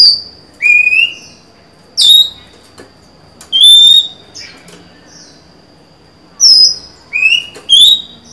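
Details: Female white-rumped shama, a kept songbird, singing to lure a male, recorded 23 July 2020: loud, clear whistled phrases, some rising and some falling, in separate bursts a second or more apart, over a thin steady high tone.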